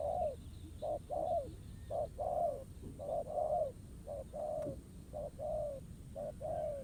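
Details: Spotted dove (bổi cọp, a wild male lured by a decoy in a ground trap), rural setting; hoarse cooing phrases of a short note then a longer falling coo, repeated about once a second, with faint high chirps and low background rumble.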